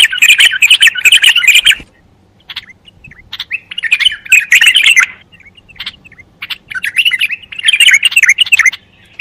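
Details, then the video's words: Bulbul giving three bursts of loud, rapid, chattering warbles, each about two seconds long, separated by quieter gaps with a few isolated notes. "صوت البلبل الجميل"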